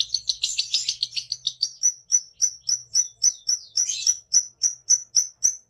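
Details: A lovebird in full ngekek song with beak open. It begins with a dense, scratchy high chatter, then settles into clear, evenly spaced shrill chirps about three to four per second, with a short burst of chatter near the end.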